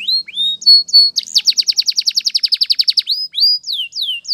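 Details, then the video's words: Canary song for morning training: two rising whistles and steady high notes, then a fast rattling roll of about twenty syllables, ending in falling whistles. "Your Canary Will Sing Immediately - Canary's Sound Training Every Morning"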